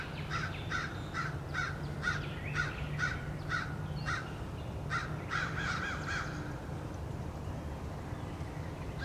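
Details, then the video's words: A flock of American crows mobs a male bald eagle beside its nest, giving bursts of clipped, harsh caws in rapid series, pausing briefly and then resuming, over a low hum. "Crows attack"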